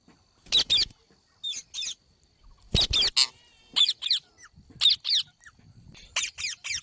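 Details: Green parrot making paired harsh screeches, spaced about a second apart, over a faint steady hum.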